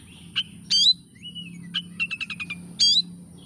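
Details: Oriental magpie-robin singing as a lure for lazy birds: sharp single ticks, bright ringing whistled notes, one soft level whistle, then a fast burst of six clipped repeated notes, all over a steady thin high whine.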